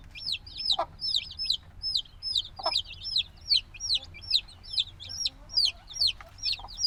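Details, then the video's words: Noisy black chicks hatched only a few days ago, still needing warmth from the mother, give high, sharp downward-sweeping peeps, repeated about two or three times a second, several overlapping; occasional soft clicks and knocks beneath. "Baby Chicken Sounds - Baby Chicken Chirping Noises"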